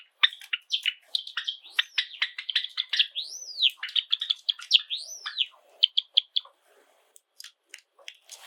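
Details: Pet Java sparrows kept indoors, a household of seven birds, pouring out a busy song of clicks, chips and rising-falling whistled arches, notes tumbling rapidly for about six seconds before a few sparse chips close the phrase.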